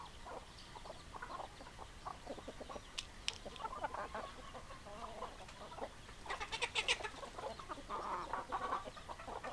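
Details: Chickens in a group, hens clucking: short, overlapping mid-pitched clucks throughout, with a louder burst of sharp, scratchy calls near the end over a steady background hum.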